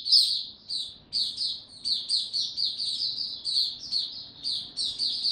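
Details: A white-eye's bright, high twittering song, recorded in warm, very humid weather on 26 March 2022, comes in short rapid phrases separated by tiny gaps, over a low background hum.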